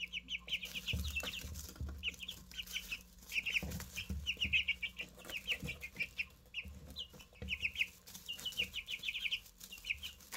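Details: Newly hatched Easter Egger chicks peep almost without pause, shrill descending cheeps in clusters of three to six, over low thuds and bumps from movement.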